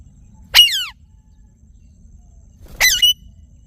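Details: Harsh, buzzy parrot screeches from a ringneck, two calls spaced over two seconds apart, each a loud downward-sliding harmonic squawk, background otherwise quiet.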